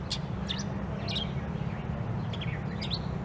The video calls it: Long Tailed Shrike (Voice Call Sound Song)